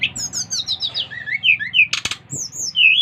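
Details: Bali brown-chested jungle flycatcher singing hard to draw other flycatchers into song: a cascade of clear, slurred whistles stepping down in pitch, a brief harsh burst, then rising whistled notes.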